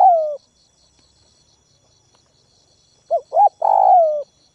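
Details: Spotted dove used as a ground decoy, calling to provoke wild doves: a short coo, then after a silent pause two quick clipped notes and a long, throbbing, slightly falling coo, over a faint steady high ticking.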